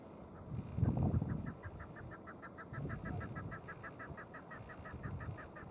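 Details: Chukar calling in Ashcroft, British Columbia, Canada, on March 13, 2019: a fast series of short clucking notes, about three or four per second, steady and even, over low rumbling background noise with a louder thump near the start.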